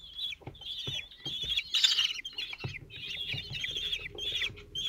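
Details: At a Common Kestrel nest in Théding, France, on 27 June 2023, four chicks aged 17 days are fed by the male. Shrill, strained calls repeat in overlapping bursts about every half second, over faint scuffling and a low hum.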